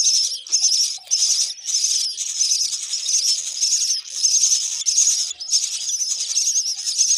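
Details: Hungry myna chicks being fed termites by their mother, giving harsh, high, hissing begging calls in continuous pulsed bursts, about one and a half per second, with brief gaps between runs.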